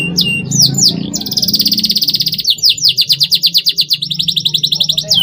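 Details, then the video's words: Canary cuit cuit song meant to get young birds singing: a few falling whistles, then a long dense buzzy roll, followed by a steady, rapidly repeated chopping trill and a final slurred note, over faint low background rumble. "CUIT CUIT PERANGSANG TROTOL AGAR MAU BUNYI GACOR FIGHTER"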